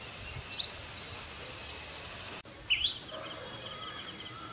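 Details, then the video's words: Sunbird at 5:30 AM in early morning, giving brief high descending notes spaced a couple of seconds apart, with a soft click and faint hum in the background. "தேன்சிட்டின் சங்கீதம் | The Voice of Sunbird"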